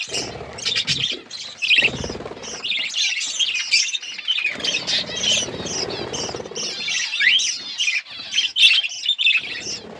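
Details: Colour budgerigars with growing chicks, a dense chorus of overlapping chirps, squawks and warbling chatter, high and continuous, with a few louder sharp calls near the end and soft low rustling underneath.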